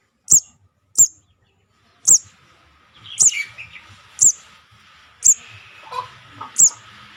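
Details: Juvenile sogon call for luring birds: high piercing chirps about once a second, with softer scratchy sounds and background noise in the second half.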